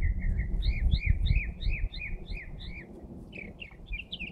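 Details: Bird heard early on a Saturday morning: a fast series of thin, high, rising chirps repeated about three per second, changing to sweeping notes near the end, over a steady low rumble.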